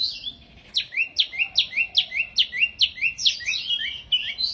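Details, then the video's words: High-pitched song of a wambi mini bird, singing busily: a fast, regular series of sharp downslurred whistles, about three per second, each followed by a lower note, ending in a jumble of warbled phrases. "Burung Wambi Mini Gacor Banget"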